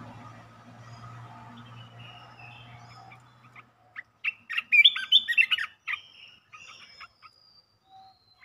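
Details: Red-whiskered bulbul delivering a quick 'poen dok' song run: after a low hum fades, a loud tumbling burst of warbled, whistled notes, then scattered softer chirps.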